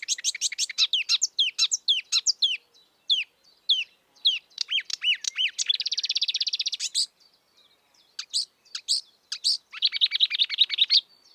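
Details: Free-living marsh warbler, or kerak basi, delivering a rich stream of quick whistled sweeps and chirps broken by two long dry buzzy rattles, with a brief silence midway.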